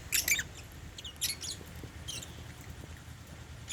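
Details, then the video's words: At meal time, caged African lovebirds eat holy basil and chirp: a quick cluster of shrill notes, then scattered softer chirps and light rustling. "Meal time | African Love birds | Eating Holy basil | chirping sound"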